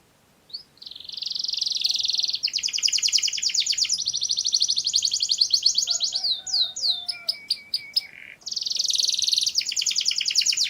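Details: Canary of the Mushti type singing: long rapid buzzy trills around mid-high pitch, a pause with lower whistled notes and sharp descending sweeps, then another fast rolling trill.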